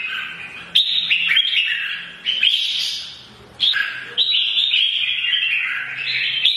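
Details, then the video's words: Mature wild-caught red-whiskered bulbul giving morning fighting song, used to provoke other birds: bright warbled phrases with quick rising and falling notes, starting in bursts about every one to two seconds, with a faint low hum behind. "CHÀO MÀO | Già rừng hót sáng hót đấu kích chim - kích ché"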